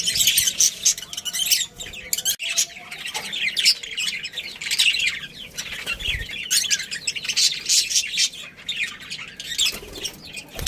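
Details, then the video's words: Continuous chirping from a budgerigar breeding pair and family: busy high warbles, twitters and squawks overlapping almost without pause. "Cute Budgies Chirping Sounds"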